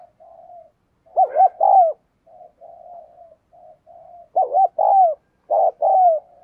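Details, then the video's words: Decoy spotted dove cooing in the "thúc gù" urging style, used to encourage other birds to call. Loud two-part coos, a short note then a longer falling one, rise over quieter continuous cooing. "Chim Cu gáy Thúc Gù Căng Đét - Chim Cu Mồi"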